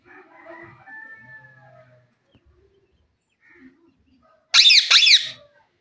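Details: Wild parrots talking at evening time: soft low murmuring notes at first, then a quiet spell, ending in two loud harsh screeches delivered rapidly.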